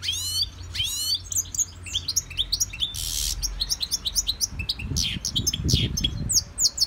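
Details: A caged goldfinch in a Victorian brass cage, in song training from a CD, pours out a lively, varied twittering song of quick sweeping notes, with low thumps and rustling beneath.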